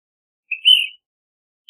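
An Ash-throated Flycatcher gives a single burry, rolling note, slightly rising, lasting about half a second, against a quiet background.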